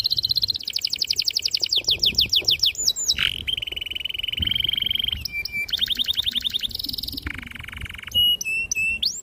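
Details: Canary in long, emotive song meant to coax young or silent canaries to sing: fast trills, then a long even roll held for about two seconds, followed by short shifting trill phrases at varied pitches.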